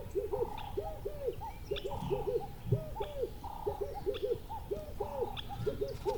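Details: Birds outdoors give rhythmic low arched notes in groups of two or three, interleaved with level mid-pitched tones at a regular pace, plus sparse high chirps over a low rumbling background.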